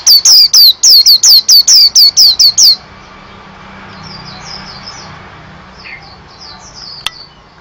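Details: White-eye giving a fast burst of about ten high, downslurred whistles over three seconds, then stopping. Faint distant chirps and a single click follow in a quiet background.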